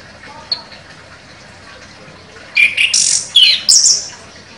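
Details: Champion chestnut-capped thrush giving sharp 'nembak' contest song: after near silence, a run of loud, scratchy high notes mixed with short whistled squeaks, broken into four or five quick bursts.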